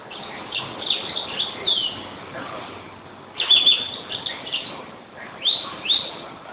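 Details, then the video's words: European greenfinch singing: bursts of high twittering chirps arrive in three clusters about two seconds apart, each a quick run of bright notes, over a soft, steady background hiss. "Green finch"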